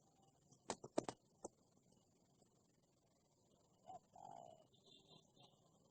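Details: Wild spotted dove, said to be very aggressive toward a decoy bird used for trapping: sharp clicks and knocks early, then a brief low note and a drawn-out falling coo near the end.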